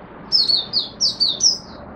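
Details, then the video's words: Buka sing of an Oriental white-eye in Singapore, warm humid overcast and rainy weather, 23 March 2023: a bright, rapid string of six high, sliding, slightly buzzy chirps. "Singapore Mata Puteh Buka Sing"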